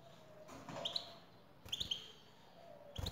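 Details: Male European goldfinch answering a female's call with brief, thin twittered phrases of two or three notes, heard about every second over a faint background hiss.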